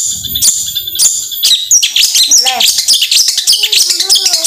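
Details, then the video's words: Long-tailed shrike pouring out rapid, harsh chattering bursts mixed with high squeaky notes and a few lower slurred whistles, busy and continuous, used as a lure to provoke reluctant shrikes to sing; Long-tailed shrike. "Cendet Gacor Tembakan"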